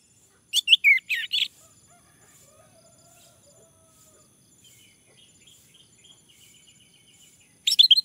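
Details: Male orange-headed thrush, used as a lure to make others sing: a loud, rapid cluster of high, warbled whistles, a long quiet stretch with faint distant notes, then another sharp burst at the end.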